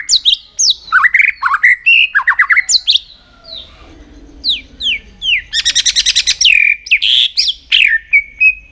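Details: Caged white-rumped shama song used to train the voice and stir other shamas into fierce singing for contests: rapid bursts of slurred whistles and sharp chirps, a short quiet gap, then dense trills and descending whistled notes.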